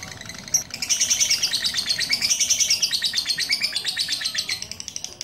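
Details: Caged lovebird after treatment by a bird handler in Pucakwangi, Pati, singing a long continuous chattering stream of rapid high twittering notes, pulsing about four times a second without a break.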